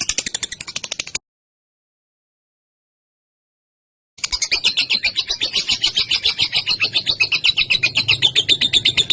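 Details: Young female lovebird used to lure and tutor other birds, giving the long 'ngekek' chatter: a burst of rapid, harsh, high rattling notes, a pause of about three seconds, then a sustained, even rattle of about four notes per second.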